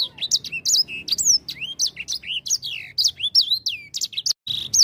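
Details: Continuous grey singing finch song: fast, bright warbling made of high chips and looping whistled slurs, sweeping up and down in quick succession with barely a break, sung very actively.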